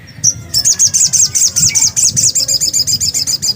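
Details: Black-capped white-eye singing lively and loud: a brief thin note, then a continuous fast series of high, bright, slurred notes, about five per second, over a low background rumble.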